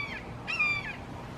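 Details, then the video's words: Red-shouldered hawk in a Florida backyard, one of three calling loudly; a single clear, slurred scream that holds level and then drops, over steady background hiss. "Amazing Sounds of Red Shouldered Hawks Calling"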